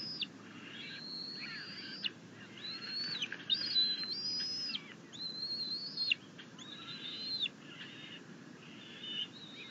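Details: Bald eagle at a nest watched by camera on 6.10.21; the mother brings a rabbit, the eaglet claims it and wants the father, arriving with grasses, to leave. High, thin whistled notes with sharp bends come in quick uneven bursts over a low background rumble.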